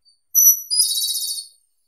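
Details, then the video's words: A Japanese robin (Erithacus akahige) delivers a high, pure whistled opening note and, after a slight gap, a fast buzzy trill of evenly repeated pulses, clean against silence. "Как поёт Малиновка японская (Erithacus akahige)"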